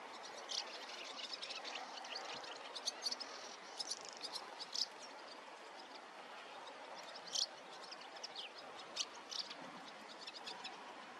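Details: A barn swallow (Hirundo rustica) gives brief, high twittering chirps at irregular intervals over a steady hiss of outdoor background noise.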